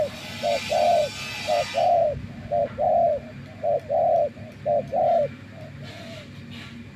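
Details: Spotted dove serving as a trapping decoy coos in a regular series of short-then-long note pairs, about one pair a second. Broadband hiss fades after two seconds, leaving low hum.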